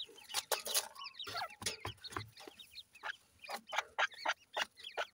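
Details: Grey francolin chicks feeding give thin, high chirps, several to a second, mixed with sharp clicking and tapping sounds throughout.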